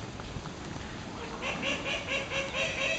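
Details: Ringed teal chicks following their mother at Kobe Kachoen, Japan; after a noisy start, high thin peeping calls repeat rapidly about twice a second against steady background hum.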